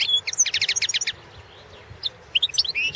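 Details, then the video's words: Singing European goldfinch of subspecies balcanica, entered in the 2017 world goldfinch song championship: a quick rattling series of high, repeated chirps, a pause, then tinkling twitters and a rising whistled slur. "Pesma štiglića 012/ 2017 Potić Sanja World championship in Goldfinch Song 2017"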